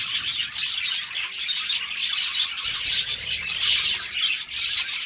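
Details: Budgerigars filmed during mating, giving a dense, continuous wash of high, scratchy chirps and twitters that overlap without pause, like many birds chattering at once.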